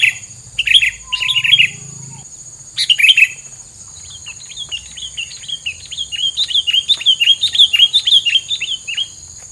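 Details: Longer sequence from a bird whose filler song is meant to keep rivals away: early scratchy chirps, then a fast chattering string of short high notes repeated rapidly for several seconds.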